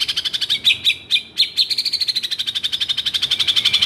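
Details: Agitated white-rumped shama producing a fast, even rattle of high repeated notes, about four per second, with a few sharper clicks early on; song used to stir quiet shamas into singing.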